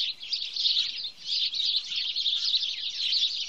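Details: House sparrows in Wittlich, 2017: a dense, continuous chorus of overlapping high chirps and tweets from many birds, rising and falling in loudness with brief dips around half a second and one second.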